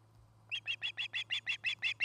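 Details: Osprey at its nest near Charlo, Montana, recorded by a nest camera; the pair builds the nest beside a Great Horned Owl family's trees. After a short silence come ten sharp, high whistled chirps, evenly spaced about every sixth of a second, with a low steady hum.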